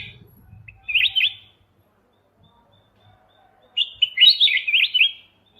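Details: Kutilang emas mata putih bulbul, a master recording for training songbirds: two short warbled whistled phrases a few seconds apart, with a faint low rumble at the start.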